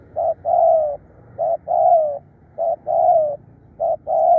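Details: Spotted dove cooing fiercely and persistently, recorded for dove luring. Each phrase pairs a short clipped note with a long, full, slightly falling coo, repeated four times about every 1.2 seconds in a quiet setting.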